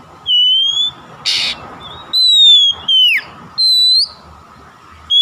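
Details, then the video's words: Oriental magpie-robin (kacer) song used as a lure to prompt other magpie-robins to sing and become vocal. Loud, clear, high whistles, some rising and some falling, come in five phrases with pauses, plus one harsh raspy burst over a faint steady hum. "SUARA PANCINGAN BURUNG KACER AGAR BUNYI DAN GACOR"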